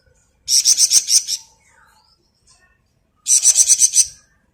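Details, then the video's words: Ngebren song of a flamboyan bird, recorded as masteran material for other songbirds: two rapid, high, buzzy trills of about six pulses each, separated by roughly two seconds of near silence. "Burung Flamboyan Gacor Ngebren mantap buat Masteran"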